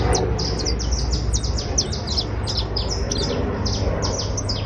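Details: Creole canary of the criollo basto type trilling: bursts of high, sharp chirped notes, falling and sweeping, tumble quickly in loose clusters over a steady low hum and background rumble.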